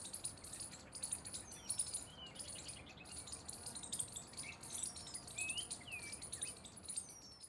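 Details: Jungle babblers calling together: a chatter of high, thin squeaks and quick downslurred notes, overlapping through the clip against a steady background hiss.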